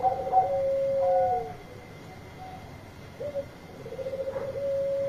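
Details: Zebra dove, Bangkok perkutut, singing to summon companions. Quieter coos open the passage, followed by a long low sliding note, a gap with hiss, then a pulsing, sustained purring trill.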